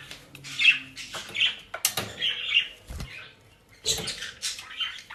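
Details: Pet budgerigars in The Hague, Netherlands, eating dry leaves and grass bought from a bird shop. They give bursts of scratchy, chirping warble, several short notes packed together with brief pauses, and a few knocks and rustles.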